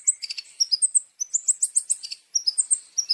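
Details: High-pitched long-tailed shrike masteran song with varied champion fill-ins: quick bursts of thin whistled and chirped notes separated by short gaps, some notes sliding downward.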